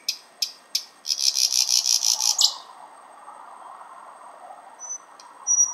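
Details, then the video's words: In Finland, outside a window, a thrush nightingale heard unusually far north delivers sharp high clicks, then a harsh pulsing rattle of about ten beats. A low hum sounds beneath. "Thrush Nightingale (sound recording)"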